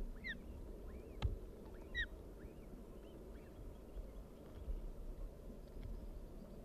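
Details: Osprey chicks being fed at the nest at Dyfi on 24 May 2021; short whistled, arching calls, a few loud ones near the start and fainter ones after, over a steady low rumble of wind or background noise.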